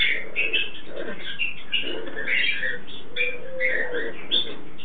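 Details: A pet pair of Turquoise-fronted amazons (Amazona aestiva), male and female, give a steady run of hoarse, chattering squawks and nasal, almost talking notes while mating, over a dull background hum.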